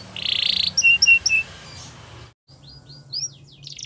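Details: Yellow canary singing in the wild: a high buzzy trill, then three clear whistled notes, a brief pause and faint downslurred notes, with a low hum underneath.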